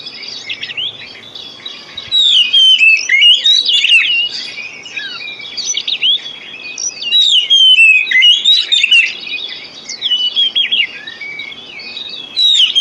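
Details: Lure song of the Oriental magpie-robin, meant as therapy for birds that have stopped singing: a long, continuous run of sweet whistles, sharp upslurs and twittering trills in rapid overlapping phrases with brief quieter gaps.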